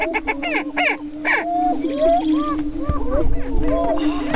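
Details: Lekking Greater prairie-chickens in northwest Minnesota near Crookston, April 2013 spring mating dance: harsh cackling bursts open, then gliding whoops over an unbroken low booming drone.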